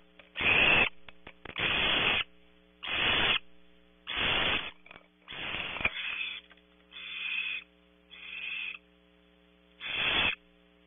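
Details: Barn owl owlet in its nest cavity at Audubon Starr Ranch, California, protesting at intrusions outside. Harsh, breathy hissing bursts, each about half a second, come roughly every second and a half, eight in all, over a steady electrical hum.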